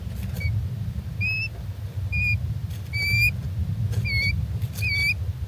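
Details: Three-day-old little owl chicks filmed in June 2024, calling noisily for their mother: short, sharp, high cheeps, some doubled, given about once a second over a steady low rumble.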